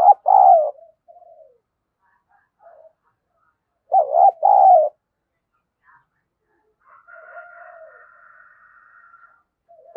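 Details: Spotted dove serving as a decoy for rivals coos twice, each phrase two low rounded notes, with soft trailing notes between and a faint, steady, higher thin tone near the end.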